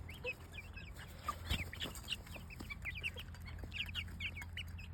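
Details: A group of chickens' chicks giving thin, high cheeps in quick irregular clusters, over a constant low mechanical hum and a few soft knocks.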